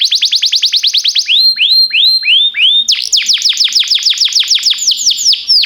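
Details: Training song of a canary: a quick series of falling notes, a few slower rising-then-falling whistles, then a loud, rapid run of high downslurred notes.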